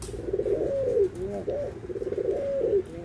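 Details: Low rolling anggungan coo from Barbary doves, white and brown birds compared: two purring phrases each closing with a smooth drawn-out note and a soft falling tail.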